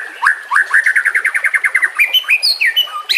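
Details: White-rumped shama song for training other birds: a fast train of about fifteen repeated whistled notes, then rising and falling sharp whistles, over faint trickling water.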